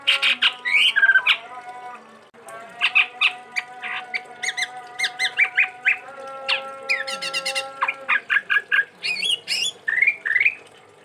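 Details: Chestnut-rumped babbler, a rare kept songbird from Sumatra, pours out a long varied song of rapid harsh chattering notes, ringing whistles and buzzy trills with a steady tone behind.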